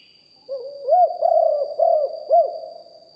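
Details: Deep-voiced spotted dove decoy, recorded live. One phrase of low coos: a soft start, then four bouncing, looped notes that rise and fall. A faint constant whine lies in the background.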